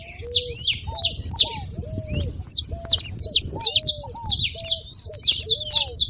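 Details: Saffron finch song aimed at stimulating a quiet canary: spaced groups of bright high downslurred chips, interleaved with steady low arched whistled notes and light background rumble.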